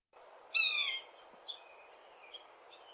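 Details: A Yellow-bellied Sapsucker in Kentucky gives its usual mew call: one soft, nasal, catlike mew about half a second long, falling slightly at the end, followed by faint chirps from other birds.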